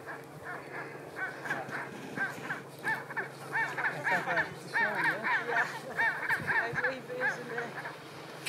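Chinstrap penguin giving harsh, nasal braying notes in rapid pulsing bursts, repeated almost every second, over a low steady hum.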